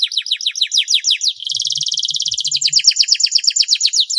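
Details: Canary with an extended, showy song aimed at getting silent canaries to start singing: high downslurred chirps in quick succession, then a smooth buzzy roll, then chirps again, with faint low rumbling.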